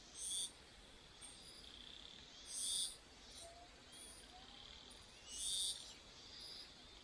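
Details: Chinese hwamei chicks being fed by their two parents, the mother taking over from the slower father. Short, high, hissing bursts repeat about every two and a half seconds, with fainter thin notes between them.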